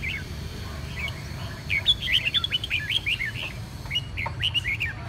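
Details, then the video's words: Red-whiskered bulbul said to be recovering from a chronic cough and hoarse voice, giving quick bright chirped notes in short rapid bursts, with a steady low rumble of background noise throughout. "Nhị mào tái xuất -Phục hồi ho mãn, khàn khê"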